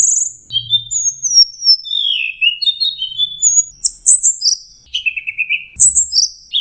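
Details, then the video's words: Lure song from an orange-headed thrush for stressed, silent birds: high whistles gliding downward, clipped mid-pitched notes, then brighter sharp phrases and a descending slurred whistle, varied throughout. "pancingan Anis merah setres dan macet bunyi"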